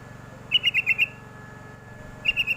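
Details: Sooty-headed bulbul call used as a lure to get young birds to answer: two bursts of quick, bright chirping notes, five then four, against a steady low hum.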